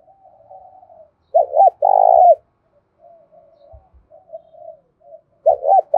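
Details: Spotted dove giving a lure call in the thổ pha voice style, a fighting call said to ring through the village: soft, low murmuring coos, then loud, emphatic two- and three-part coos, and another loud burst at the end.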